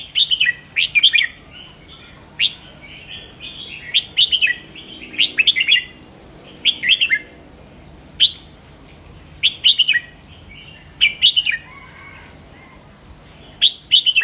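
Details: Red-whiskered bulbul song played to stimulate caged birds. Short, clear, whistled phrases of three to five bright, lilting notes repeat roughly every one to two seconds over a faint steady background hum.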